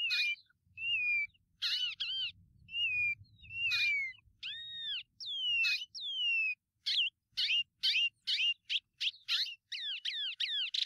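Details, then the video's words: White-bellied Seedeater singing one of its five song variants: clear whistled slurs, some rising and some falling, then a quickening run of sharp arched notes toward the end, with a faint low hum in the background. "vamos ver os cinco cantos diferentes da Patativa Chorona"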